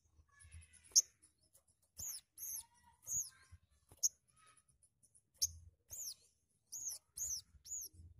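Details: Sogon singing, used to stimulate other birds to sing: sharp, very high whistled notes, each arching down in a quick hooked slur, given singly or in pairs and triplets with pauses between phrases.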